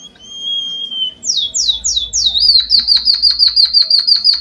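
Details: Java sparrow song for training birds: a long thin whistle, then several sweeping downward slurs, settling into a fast regular chatter of high chips, over a low background rumble.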